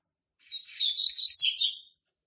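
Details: Territorial song of a young male Double-collared Seedeater born in March 2019: a short burst of high, scratchy chirps building into louder slurred whistled notes, ending abruptly after roughly one and a half seconds, without background noise.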